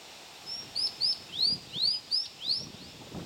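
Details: Scarlet minivet recorded on 6 June 2010, giving a run of thin, high, sweeping whistles, each rising then curling over, about seven in quick succession at uneven spacing over quiet rustling background.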